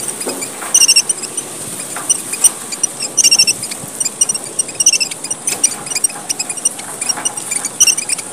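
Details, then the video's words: A red avadavat (red munia of Papua, Indonesia), used as a lure call, gives thin, very high, tinkling squeaks in short bursts every second or so over a steady high hiss. "suara gocar, burung emprit merah papua / suara burung pipit / suara pemikat & pancingan gocar"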